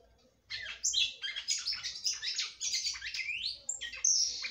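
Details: Female red-cowled cardinal in song meant to stimulate her male: a rapid, jumbled stream of sharp high notes and upward-sweeping whistles after a brief quiet start.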